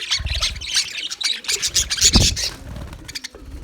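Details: English budgies recorded on February 14, 2024, giving dense, rapid high chirps and scratchy warbles in overlapping bursts, with low thumps and a faint low cooing underneath.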